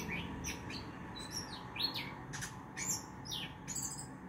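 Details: Male orange-headed thrush in a song style locally called ngerol and ngeplong: a fast, varied run of high chirps, short slurred whistles and sharp rising and falling notes, fairly quiet, over a faint steady hum.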